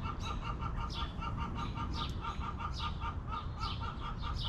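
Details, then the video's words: Backyard chickens relaxing in their coop: rapid pulsed clucking notes, low and even, run in steady bursts, with sharp chirps from small wild birds above and a low background rumble. "Rooster Crowing! Hens Clucking!"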